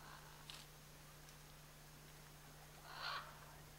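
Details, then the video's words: Scarlet macaw, one of a pair in the Chiquibul area, giving a single harsh, broadband squawk late in the recording, preceded by a fainter rasp; a steady low electrical hum runs throughout. "Scarlet Macaw"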